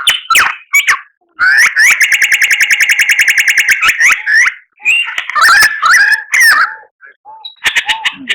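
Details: Tutor song of the murai batu, rich in fill-in phrases: scratchy whistles, then a long, fast, even rattle of buzzy pulses lasting about two seconds, followed by harsh jumbled notes and sliding whistles.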